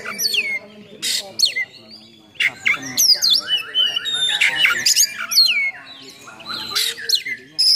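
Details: Fiery oriental magpie-robin song packed with harsh fill-in phrases, meant to provoke and train other magpie-robins; sweeping whistles, squawky rasps and busy warbled runs separated by short gaps.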